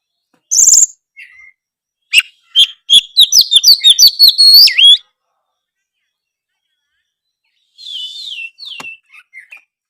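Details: White-rumped shama kept caged, singing so other shamas respond: an opening harsh high note, then a fast rhythmic series of sharp clicks and whistled chirps for about two seconds, a long pause, and soft descending whistles.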